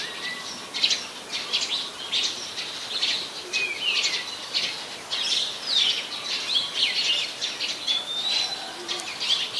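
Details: Oriental magpie-robin in Ubon Ratchathani, Thailand, late December 2020, producing a continuous jumble of high chirps and whistles, somewhat muffled, with faint lower notes behind.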